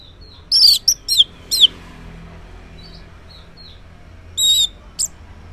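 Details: Orange-headed thrush in morning song meant to draw silent males into answering: scattered sharp high notes and short rasping bursts, then a pause and a second rough burst, against faint hum.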